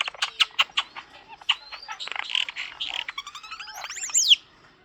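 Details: Talkative pet common starling chattering in a rapid mix of clicks and rattles, then a buzzy warble that ends in a loud, sweeping whistled slur rising and falling high.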